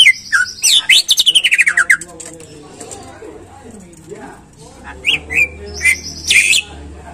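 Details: Greater green leafbird singing to encourage caged birds: a rapid series of descending whistled slurs, then a quieter pause and a few loud rising whistles and harsh bursts near the end.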